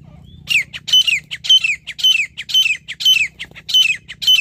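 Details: Grey francolin calling during partridge hunting: loud harsh phrases, each ending in a clear descending whistled slur, repeated evenly about twice a second, over a faint low hum.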